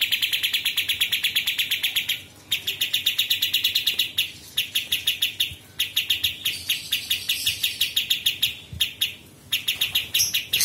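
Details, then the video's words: Sooty-headed Bulbul master song for training murai batu, cucak ijo and kacer. Long runs of quick, even chip notes, roughly five per second, repeat in phrases of one to two seconds with short breaks between them. "KAPAS TEMBAK Masteran Murai Batu dan Cucak Ijo serta Kacer"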